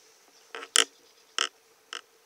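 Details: During a bird survey, an eastern spot-billed duck parent watching over its ducklings gives four short, harsh, raspy quacks, spaced irregularly about half a second apart, over a faint steady hum.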